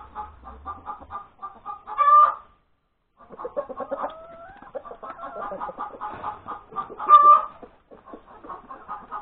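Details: Egg-laying hen cackling on Sunday, January 31, 2021, around breakfast. Quick clucks lead to a loud squawk, a pause, then more clucking with a rising slurred call and a second loud squawk; a faint low rumble opens the clip.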